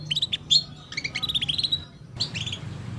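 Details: Female canary giving cuit-cuit chirps meant to prompt young birds to start singing: quick runs of bright, high chirps in three bursts, with a short pause before the last, over a faint low hum.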